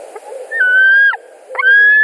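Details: White-tailed eagles screaming at a nest in Latvia on 2 August 2020, amid a food delivery of carp and fights. Two sustained, level, piercing cries, each opening with a short sharp note.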